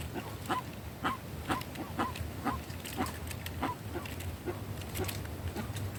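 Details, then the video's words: Guan in the sertão giving a run of nasal honks, roughly two per second and fairly even, over a low rumbling background. "Jacu fazendo barulho no sertão"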